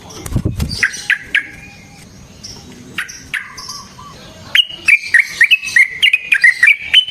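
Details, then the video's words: Sooty-headed bulbul delivering a long rapid fighting song, used to lure and train other bulbuls. Scattered sharp whistled notes give way to a quick run of bubbly rising and falling chirps. "Burung TRUCUKAN GACOR Ropel Panjang Cocok untuk PANCINGAN Trucuk bahan dan MASTERAN Burung Trucukan"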